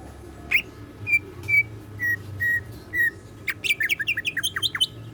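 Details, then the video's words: Greater green leafbird kept as a cage bird, singing in the siklon-filled gacor style. Clear, level whistled notes are spaced about half a second apart. They break into a rapid cascade of high, sharp, twittering chirps. Constant low background hum. "BURUNG CUCAK IJO GACOR ISIAN SIKLON"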